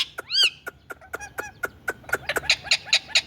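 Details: Talking Indian ringneck parakeet: a loud, arched, harmonic note opens, followed by quick clicks and a run of short, rapid, rising calls near the end.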